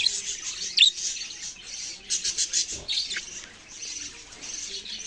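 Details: Lively budgerigar twittering: a sharp loud squeak at the start, then rapid pulsing trills and chattering tweets that rise and fade, easing into quieter background warbles.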